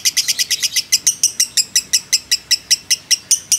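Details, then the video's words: Fighter lovebird's ngekek, used as a lure: sharp, high, metallic chips repeated about five times a second in a very even rhythm, each note short and clipped, with no other sounds. "pancingan lovebird JITU emosi ngekek panjang"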